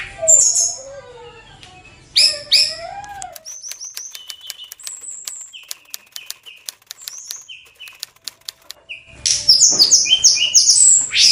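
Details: Oriental magpie-robin in high breeding condition singing: varied whistled phrases and slurred notes, then a run of short, clear high whistles repeated at a steady pace, ending in a dense burst of loud, scratchy, overlapping song.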